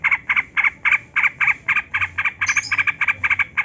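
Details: Continuous rapid chatter from a yellow-vented bulbul in long ropel song, used as a lure so lazy captive bulbuls will sing. Rough, bubbling notes repeat about four times a second, with a thin high squeak partway through.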